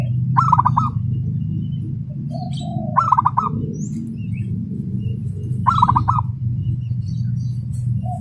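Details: Local zebra dove, groomed for contests, producing speedy, tight song like a sewing machine: three quick bubbling coo phrases about 2.5 seconds apart, soft low coos between them, a steady low drone beneath.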